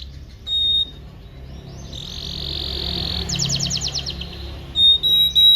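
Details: Canary tutor song for young canaries, softer here: a brief high whistle, then a long even buzzing roll that breaks into a quick burst of stacked rising-and-falling notes, ending with sharp clipped whistles.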